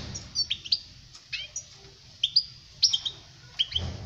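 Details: European goldfinch song meant for teaching young birds to sing: quick, high twittering notes and bright metallic chirps in short bursts, with brief pauses between phrases.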